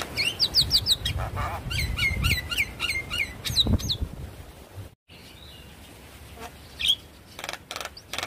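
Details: Lure recording of Javan myna song to set a silent bird singing: quick squeaky, bent whistled notes in a tight series, then fewer, spaced calls and a lone sharp chirp over low background rumble.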